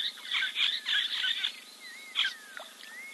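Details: Giant kingfisher at a waterhole in Timbavati Game Reserve, South Africa, preening on 04.02.2024; a rapid rattling run of harsh notes, then one louder note, with thin rising whistles from another bird.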